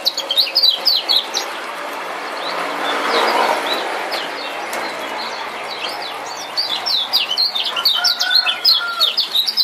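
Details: Male lemon-bellied white-eye from Lombok, used as a lure to make a silent bird sing: rapid high chirps repeated several times a second, fading mid-clip under a broad wash of background noise, then resuming in quick bursts.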